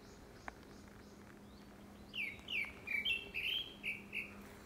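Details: After two seconds of near silence, a Grey-backed thrush breaks into courtship song, seasonally for a second breeding: a rapid string of six or so falling whistles, about two per second.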